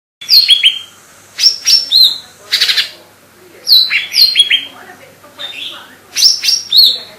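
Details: Lesser green leafbird (cocak ijo mini, Chloropsis cyanopogon) singing vigorously: bright, high whistled phrases with sharp downslurred notes and buzzy bursts, delivered in quick clusters separated by short pauses.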